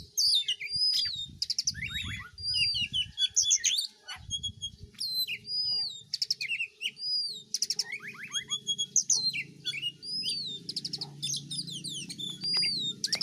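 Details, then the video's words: Melodious White-rumped shama song: loud whistled phrases, quick descending slurs and chattering trill bursts delivered almost continuously, over a soft low background rumble. "kicauan dan tarian burung kacer betapa merdu dan indahnya"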